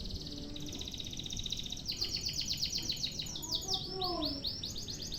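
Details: Canary long-duration tutor song, quieter, with a steady trill that shifts into fast, sharp repeated notes. A low background rumble runs throughout, with brief lower notes near the end.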